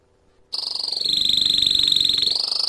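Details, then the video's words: Canary song meant to excite males and bring the female into mating position: after a brief quiet start, a dense, steady high rolling trill of rapid pulses holds one pitch for about two seconds. "تغريد كناري لتهييج الذكور وجعل الانثى تأخذ وضعية التزاوج"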